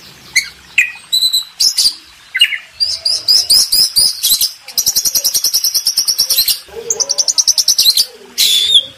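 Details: Master song of an Oriental magpie-robin, used to tutor contest birds: sharp high chips and short notes, then long fast rattling trills of rapid, evenly repeated high notes, ending in bright chirps.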